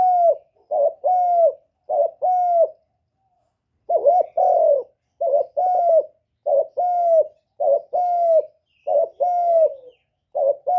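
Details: Decoy spotted dove cooing to lure wild birds: low hollow coos in short groups, each note slightly rising then falling, repeated steadily with brief pauses, clean and close with no other sounds.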